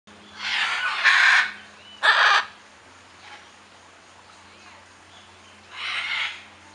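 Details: Blue macaw giving loud, harsh, raspy squawks: two close bursts near the start, then a pause and a third squawk toward the end, with a faint low hum underneath.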